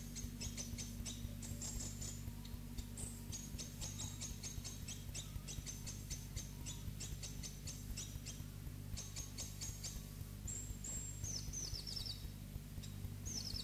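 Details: Two captive black-throated bushtits singing: very high, thin ticking notes in quick bursts with a few short descending trills, over a steady low mechanical hum; old recording with a faint song barely audible.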